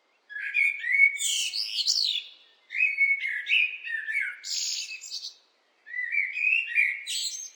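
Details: Blackbird in full song: three phrases of relaxed, melodious whistles, each tailing off into a sharp high-pitched twitter, separated by pauses of about a second.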